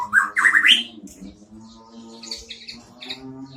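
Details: White-rumped shama with a unique isian (fill) song: a loud burst of rising, squawky whistled notes lasting under a second, then fainter high chips over a continuous low droning background.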